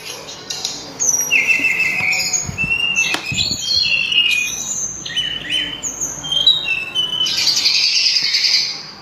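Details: Sulingan, or tledekan gunung, gives a loud, sweet song of short whistled phrases and buzzy bursts, ending in a dense rich warble; faint knocks in the background.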